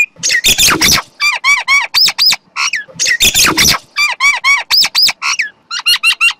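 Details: Common myna giving harsh, rasping squawks and gurgling, throaty notes in loud clustered bursts, with squeaky upper tones and short pauses between phrases.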